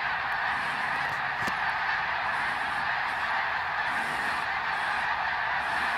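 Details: Vast flock of greater snow geese flying over Ottawa, Canada, during autumn 2021 migration; countless honking calls merge into a continuous massed clamour with no single bird standing out.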